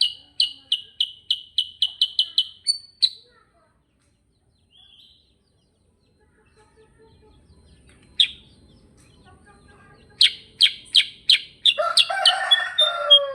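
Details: Kutilang sutra, the sooty-headed bulbul, in ngerol song: a fast train of a dozen bright chirps, then quiet, then a few scattered chirps and a burst of rougher, lower calls at the end.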